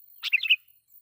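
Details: A single quick, liquid phrase of tumbling chirps from a sooty-headed bulbul, a loud lure song meant to provoke wild bulbuls.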